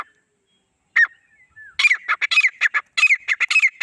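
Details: Male and female grey francolin pair: a single sharp note and a thin drawn-out whistle, then a rapid, uneven burst of squawky, high notes tumbling over one another.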